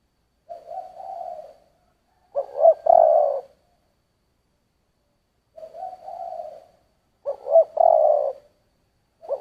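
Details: Spotted dove giving giọng thổ style cooing: alternating soft, hollow coos and louder broken phrases that end in a sustained low coo, with the cycle repeating after a few seconds.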